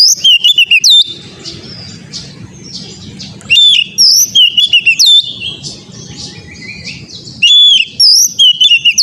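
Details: Oriental magpie-robin song used as training material for caged birds: bursts of rich, varied whistles, some sliding down and others trilled, repeated in loud phrases about every three seconds, with quieter chatter and a low rumble between them.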